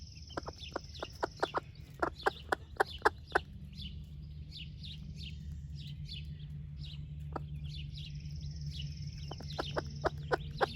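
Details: A broody splash laced red Wyandotte hen shares breakfast with her chicks; rapid bursts of short clucking taps come in clusters, then a quieter gap, while chicks give faint high cheeping peeps over a low rumble.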